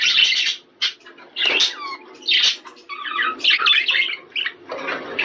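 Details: Budgerigars heard in sound used to prompt breeding: separate harsh squawks and chirps in short bursts with gaps between them, plus a few quick whistled notes that rise and fall.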